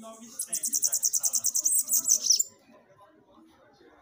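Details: Song of a Bananaquit, used to fire up captive birds: a thin, very high trill of about fifteen quick buzzy pulses over two seconds, ending in squeaky notes, then quiet low background murmur.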